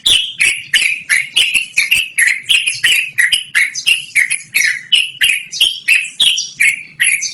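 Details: Continuous 'ngerol' song of a yellow-vented bulbul, a loud voice used as lure or training model: an unbroken fast chain of clicky, down-slurred chattering notes, roughly two or three per second, steady throughout.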